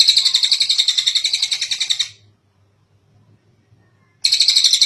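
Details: Kingfisher (tengek cililin) call recorded to tutor other birds: a steady, fast harsh rattle lasting two seconds, a two-second silence, then the chatter resumes.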